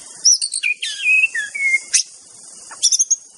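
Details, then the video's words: White-rumped shama in the wild, singing a varied phrase of high buzzy chips and short sliding whistles, then a pause before another burst of sharp notes. "Latih EMOSI Murai Anda Dengan Kicau KHAS Murai BATU di ALAM LIAR GACOR Full + Bongkar ISIAN"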